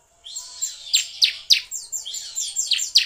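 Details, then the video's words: Bar-winged prinia song for prompting other birds to sing: a steady, busy chatter of high, sharp, descending chips, about three or four per second, over a thin buzzy background. "pancingan ciblek semi agar bunyi"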